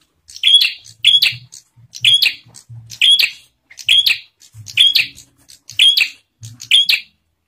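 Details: Bar-winged prinia, song used to provoke other prinias into singing: seven evenly spaced, piercing chirped bursts in under eight seconds, each a high whistle followed by buzzy ticking, over faint low-pitched bumps.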